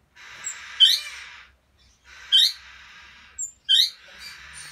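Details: Bourke's parrot of the rubino colour variety, recorded 25 December 2017, gives four short, upswept squeaky chirps at irregular intervals, each standing out above a constant rushing hiss.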